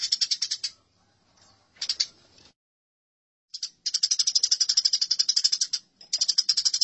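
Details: Eurasian tree sparrows in a fight: rapid rattling chatter of high, harsh notes, about four per second, in bursts broken by a short silence midway.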